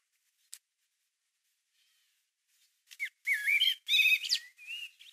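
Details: In March 2020, in a Hungarian garden, a common blackbird sings after near silence: one mellow, fluted phrase of low whistled notes with a brighter, squeaky edge, lasting about two seconds.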